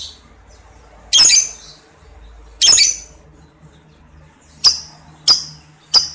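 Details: Lovebird in an Indonesian lure recording of long ngekek and ngetik song; five sharp, high, shrill chirps at uneven intervals over six seconds, the first two fuller and harsher, the last three short clipped ticks, with faint low hum behind.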